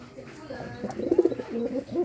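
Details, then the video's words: A pigeon courting, giving a brief run of low, throbbing coos that swell in the middle before fading. "Suara Burung Merpati merayu"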